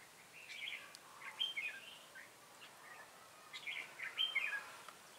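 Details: Ché-style song of a decoy red-whiskered bulbul during trapping, Bình Phước, Vietnam, 25 June 2018; two bursts of bubbly, slurred whistled notes about two seconds apart, moderately loud above a soft steady hiss.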